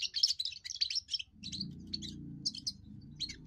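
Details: First song of a young European goldfinch, a song meant for holding territory and attracting females: quick liquid twitters and chirps, then a steady low hum underneath the later, sparser notes.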